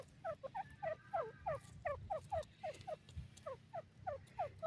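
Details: Dakhni teetar (Grey francolin) of India calling at home, giving brisk repeated upslurred notes roughly three a second in an uneven rhythm, over a quiet low rumble.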